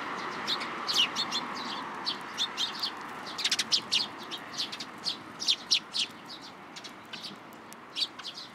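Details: Flock of sparrows coming to a plum tree at a Tenmangu shrine for food, June 17, 2022, giving scattered sharp high chirps roughly every half second over constant hissing noise.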